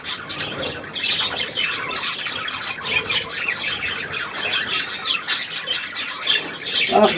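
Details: Budgerigars, 3 April 2017, keep up a steady babble of sharp high tweets and scratchy squeaks, many birds calling at once, ending with a brief lower harsh note.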